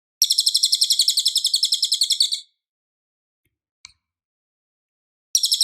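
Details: Clear, loud Cililin song used for tutoring White-rumped Shama: a two-second trill of rapid, high, repeated chirps, a long silence broken by one faint click, then a fresh fast trill begins at the end.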